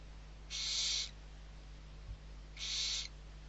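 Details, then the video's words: Barn owl owlets, six young being fed at Riet Vell reserve in the Ebro Delta, Spain, in November: two long harsh hissing screeches about two seconds apart, broadband and noisy, with a steady low hum beneath. "ГОДУЄМО ШІСТЬ СОВЕНЯТ. СИПУХА. РІТ-ВЕЛЛ. ЕБРО. ІСПАНІЯ 21-11-23 - BARN OWL. RIET VELL. EBRO. SPAIN"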